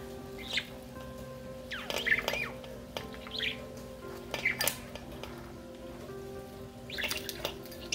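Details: Blue male pet parakeet chirping and squawking softly while being cuddled and petted; short rising chirps every one to two seconds over steady background music.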